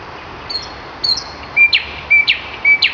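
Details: Common nightingale song, presented to children as loud, tender and charming; thin high whistles alternating with sharp rising notes, repeated about every half second, over steady hiss.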